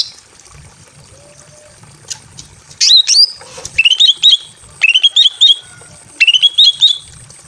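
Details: Female greater green leafbird in a simple aviary, in breeding condition and calling a male: after a quiet start, a harsh squawk followed by repeated quick triplets of short upslurred notes.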